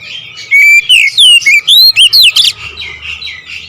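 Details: Oriental magpie-robin in loud rolling song: rapid, varied whistled phrases with sweeping rising and falling notes, delivered in quick bursts, then trailing into softer twittering.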